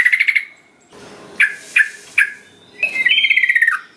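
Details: Sooty-headed bulbul singing to prompt other birds to join in. A brief quick trill, three sharp descending notes with a short gap between them, then a higher rapid trilled phrase that slides downward.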